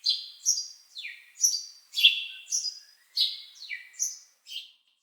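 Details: Repeated bird chirps, each a bright note that drops steeply in pitch, coming in uneven bursts about every half second over a silent background.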